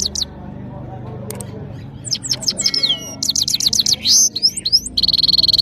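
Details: European goldfinch, called saira, from Parachinar, singing powerfully: bright twittering high notes and quick downslurred chips, a buzzy rising phrase, ending in a rapid series of clipped notes and a steady high tone; faint low background hum.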